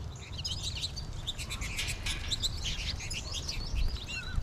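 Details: American goldfinch flock in March, with more birds calling from the trees above: a dense scatter of bright, high chirps and short slurred twitters overlapping throughout, over a steady low rumble.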